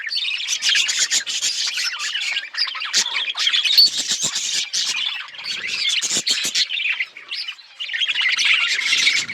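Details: A flock of budgerigars chatters continuously with sharp clicks, scratchy squawks and high warbles, dipping briefly before rising again.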